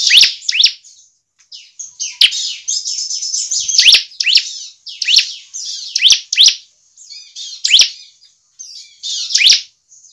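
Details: Bar-winged prinia song played to stimulate other birds to sing: energetic high chattering trills punctuated by piercing downward-swept notes, repeated in dense phrases with short silences.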